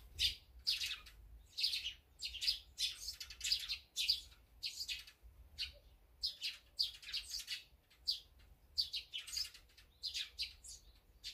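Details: Mixed flock of azure-winged magpies, sparrows, great tits and brown-eared bulbuls eating together, giving bright, high chirps and short squeaky notes in rapid clusters that break off and restart every second or two.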